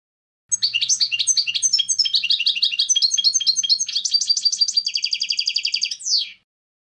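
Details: Rapid twittering song of a European goldfinch: varied tinkling notes shifting into a steady fast trill, closing with a quick descending slur, over a faint low hum.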